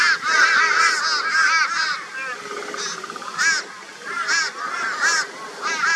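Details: Crows gathered to harass a barn owl, Brisbane, Australia, February 2022; high-volume hoarse caws rise and fall in uneven clusters, several birds calling over one another, with a quieter lull midway.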